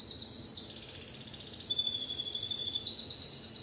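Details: Timbrado canary giving a rapid, buzzy, high rolling trill. It changes pitch in steps and includes a thin, pure whistled tone in the middle section.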